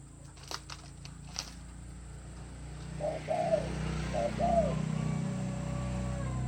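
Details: Spotted dove giving soft, low cooing notes, a short run of rounded hoots near the middle and end, over steady background hum with a few sharp clicks at the start.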